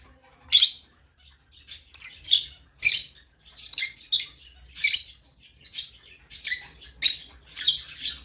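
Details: Harsh, rasping chirps of African lovebirds, roughly a dozen short high bursts spaced unevenly over eight seconds, some doubled, against a quiet background with slight low rumble.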